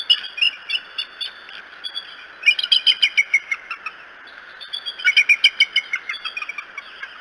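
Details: Bald eagles at the Decorah nest on the morning of 13 May 2018: bursts of high, thin, chittering chirps in quick runs of about ten notes, with quieter gaps between runs.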